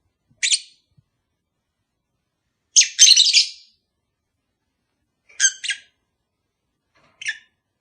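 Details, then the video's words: Caged lovebird pair, sound intended to prompt mating: sharp shrill chirps and a longer harsh chattering burst, then paired squeaky notes, spaced irregularly over several seconds. "Cara ampuh untuk memikat sepasang burung agar cepat kawin"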